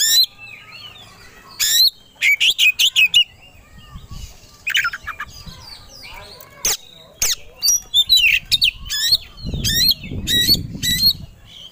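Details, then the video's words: Fight-ready kacer (Oriental magpie-robin) singing to provoke another bird: rapid clusters of high chirps and harsh notes with irregular spacing, plus a low rumbling sound near the end. "Pancingan Kacer Agar Cepat Emosi Gacor 3 || Super Gacor Langsung Tarung"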